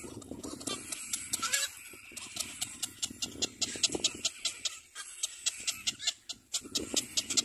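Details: Little black cormorant taking care of its baby, giving rapid, high, raspy calls at about two to three each second over a steady hiss of background noise.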